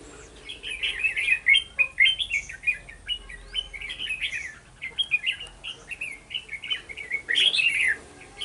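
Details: Trapping scene in Vietnam on 11 November 2018 with a red-whiskered bulbul decoy; rapid, continuous chattering song of clipped whistled notes repeated several times per second, from more than one bird, with faint background tones.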